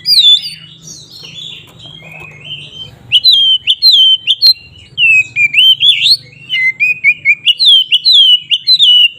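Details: Loud 'ngeplong' song of an Oriental magpie-robin, used to rile rival birds into fighting mood: a rapid string of rich, looping whistles with bent, rising-then-falling notes, repeated in quick succession after a soft opening, faint low hum beneath.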